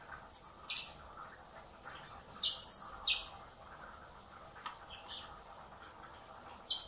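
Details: Spring hand-feeding of orphaned common blackbird chicks at a wildlife recovery centre, later to be freed; harsh, high squeaky begging squawks come in irregular bursts of two or three, with faint softer chirps and a final squawk.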